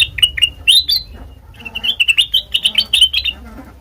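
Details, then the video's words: Black-crested bulbul song used as a lure for bird trapping: a few sharp, rising whistled notes, a brief lull, then a quick string of bright chirping syllables, with low background rumble. "Suara Asli Kutilang Emas Pancingan Pikat Masteran"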